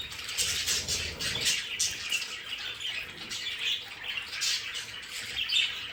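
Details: Pet budgerigars in their home play area, chattering constantly: many overlapping high warbles, chirps and scratchy squawks blend into a busy, unbroken twitter, with a faint steady high whine in the room.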